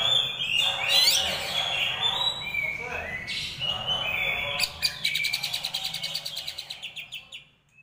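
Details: Greater green leafbird in a tutoring (masteran) recording of rolling harsh song: dense, scratchy sweeping notes and high squeaks, then a fast rattling roll of evenly repeated harsh notes that speeds along and fades out near the end.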